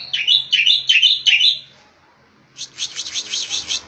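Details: Striated grassbird, Javan race palustris of Java and Bali, in 'tembakan' song style used as a training recording: five quick, sharp chirping phrases roughly every 0.4 seconds, a pause, then a buzzy, rattling trill.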